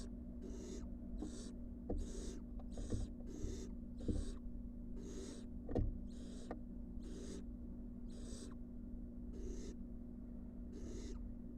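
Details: A rapid series of about fourteen harsh hissing calls, repeated every half to one second, from wild barn owl nestlings coming back into the nest box after being on the porch; low hum and faint knocks underneath.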